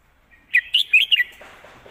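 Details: Red-whiskered bulbul singing a 'mae bot' (master) style song with nicely flowing phrasing: one quick phrase of four bright, warbled whistled notes, rising and falling, followed by faint low chirps.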